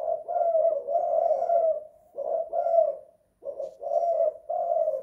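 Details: Spotted dove (tekukur) singing 'kuk 2 / guk 1' inside the house: two long husky coo sequences split by a brief silence, with a low, gently wavering tone.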